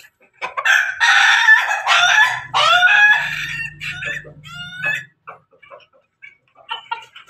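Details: Roosters of the Pelung and Ketawa breeds crowing together: a strong rasping crow, then rapid stuttering, laughing-like notes that fade into scattered short clucks, with a faint low hum underneath.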